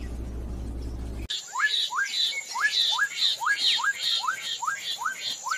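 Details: Black-capped donacobius, living in pairs in South American swamps and wet meadows, calling a string of rising, slurred whistled notes repeated roughly every half second, after a brief stretch of music at the start.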